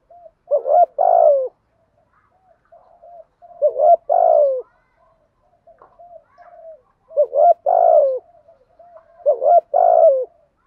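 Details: Lure recording of a spotted dove for attracting wild doves: low two-part coos, a quick hoarse note followed by a fuller falling coo, repeated four times roughly every two to three seconds, with soft muttered notes in the gaps.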